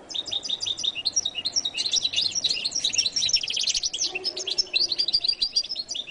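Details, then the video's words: Goldfinch in continuous song: rapid, tightly packed high twitters and trills running without pause, some notes rolling and liquid. "canto de jilguero latino"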